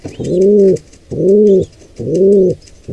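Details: Wild pigeon cooing at a nest site during an attack on a nestling by an intruding pair; three low, drawn-out hollow coos, each arching slightly in pitch, spaced about a second apart, faint high chirps behind.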